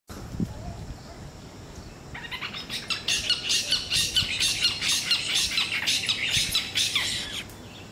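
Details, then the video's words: Two spotted owlets calling in Bangalore, Karnataka, recorded on a Nikon Z6: after a quiet start, a harsh, raspy screeching chatter builds, repeated rapidly about twice a second in noisy bursts. "spotted owlet call"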